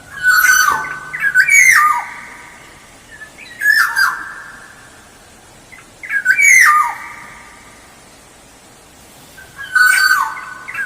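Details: Black-naped oriole singing as a lure: loud phrases of liquid whistles, each ending in a harsh downward-slurred squawk. There are four bursts spaced two to three seconds apart, with quiet gaps between.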